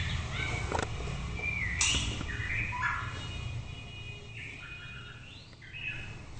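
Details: Shama singing varied whistled phrases, some gliding, some warbled, with sharp clicks and a quieter stretch of soft whistles toward the end.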